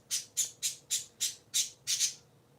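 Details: Sunday-morning squawking from three pet parakeets indoors: seven harsh, buzzy notes repeated about every quarter second at a steady pace, the last one doubled.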